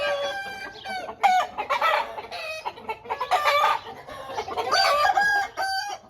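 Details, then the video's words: Home-bred Aseel roosters: several birds calling at once, harsh drawn-out harmonic crows rising and falling in bursts of one to two seconds, separated by brief quieter gaps filled with overlapping clucks. "Aseel Birds Sound Effect"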